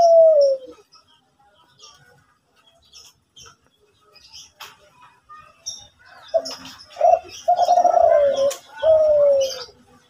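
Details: Zebra dove in Kelantan style, singing actively in the morning: one falling coo, a long quiet gap with scattered soft chirps, then a burst of rolling trilled coos ending in a long descending note.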